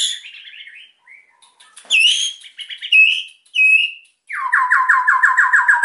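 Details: White-rumped shama in full excited song, meant to spur silent birds to sing: high whistled notes, clear rising whistles, then a fast rhythmic run of repeated descending notes.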